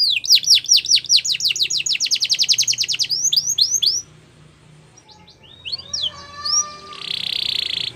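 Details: Song of a canary meant to get other canaries singing, for training: a fast, even trill of sweeping notes lasting about four seconds, a near-silent pause, then scattered chirps, a soft lower whistle and a short buzzy burst.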